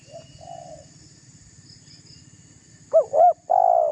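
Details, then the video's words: Spotted dove cooing to goad rival doves; faint distant coos at first, then a loud phrase of two quick rising notes leading into a long burred coo that is cut off at the end. "Suara tekukur GACOR merayu lawan agar terpancing emosi"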